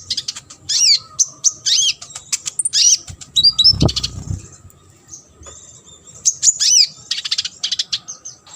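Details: Training song of a sunbird for competition birds: high, sweet chirps and short warbled phrases in clusters separated by gaps, with a single dull thump partway through.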